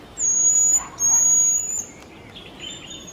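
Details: Jerdon's bush lark (Plocealauda affinis) in Kerala sings two long, thin, very high, almost level whistles, then a fainter short whistle, over a soft background hiss.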